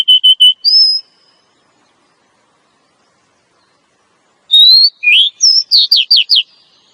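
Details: Calling female Oriental magpie-robin, used to trigger singing in males: three quick notes and a rising whistle, a long silence, then varied whistles closing with four fast downslurred notes.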